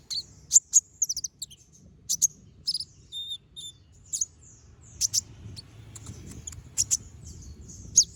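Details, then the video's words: Chattering song with sharp 'shot' notes from a brown-throated sunbird, used to train other birds: loud isolated high chips, short tinkling trills and a few slurred whistles, heard over a low rumbling background. "Pancingan Suara Burung Konin Gacor Ngobra Tembakan Tajam"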